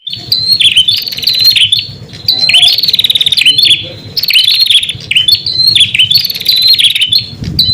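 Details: Prinia song used to lure and call wild prinias: high, thin, rapid chirping trills in bursts of about two seconds, separated by brief pauses, bright and sharp throughout, with faint low rumbling beneath.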